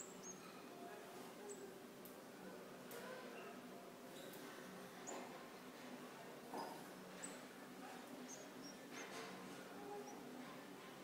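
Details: Goldfinch chicks fed by a parent: scattered thin, high-pitched whistled peeps, brief and rising, spread unevenly through the scene with soft clicks and rustles of movement around the nest.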